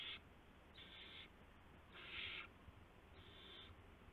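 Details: Midnight at an owl nest, March 19, 2016, while adults bring prey to the owlets. Four airy, rasping hisses, the third the loudest, are spaced about a second apart over quiet background hum.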